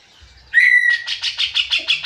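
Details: Cucak jenggot (grey-cheeked bulbul): a clear, drawn-out whistle leads into a quick string of about eight buzzy, chattering notes.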